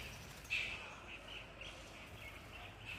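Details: Ringneck parrot recorded in Ludhiana, India, giving a single harsh screech half a second in, followed by quieter scattered chirps at similar pitch, with a constant low rumble of background noise throughout.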